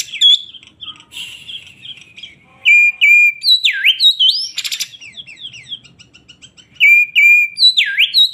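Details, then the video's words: Oriental magpie-robin, kacer poci type, kept as a songbird in Indonesia, singing excitedly: clear whistles, deep swooping dips, a harsh buzzy burst mid-phrase, quick chirped ornaments, then the swooping whistle repeated near the end. "BURUNG KACER poci gacor emosi"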